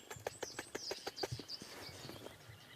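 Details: Woodpecker at sunrise on 2 June 2016 on safari in Sabi Sand, tapping a quick, light series of about eight knocks, roughly six per second, fading out, with faint high bird notes and calls behind.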